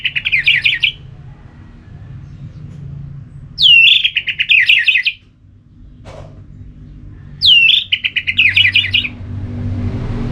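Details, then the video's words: An orange-headed thrush singing, used to spur another bird to sing: each phrase starts with a sharp rising-falling whistle and breaks into a rapid trill of bright notes, repeated roughly every four seconds, low hum behind. "ANIS MERAH LOYO Bakal SONTAK NYAUT GACOR dan EMOSI dengar Kicauan Ngeplong ini"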